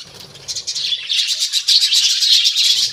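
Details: Many budgies in a colony chatter together, a dense buzzy warbling of high chirps that swells after the first second and stays loud and continuous, with a faint low rumble underneath at start and end.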